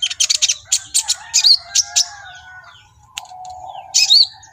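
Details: Excited brown-throated sunbird (kolibri ninja) in full song: a run of sharp, high staccato chirps, a brief pause near the middle with a soft low rustle, then a final burst ending in a twisting whistled note.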